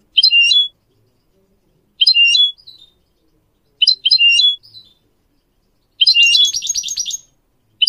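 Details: Goldfinch phrases meant to train young goldfinch mules and canaries to sing. Three short, sharp twittering phrases come about two seconds apart, then a longer, dense buzzy trill.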